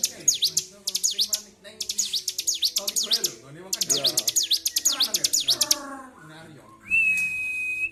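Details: Agitated bar-winged prinia, kept caged, singing nonstop: rapid bursts of high, sharp V-shaped notes sweeping down and up, broken by short pauses, with a man's voice and a steady whistle-like tone at the end.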